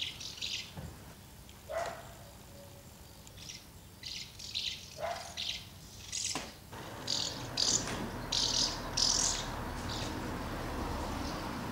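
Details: Many common house martins gathering at two nests to feed young, 24 August 2012. Spaced single chirps give way to increasingly crowded, rapid twittering, with a sharp click partway through.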